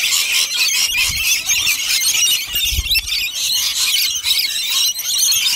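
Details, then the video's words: Rainbow lorikeets going wild over nectar, a thick layer of shrill overlapping squeals and screechy chatter from a crowd of birds, with a couple of low thumps. "Rainbow Lorikeet RAID!!!"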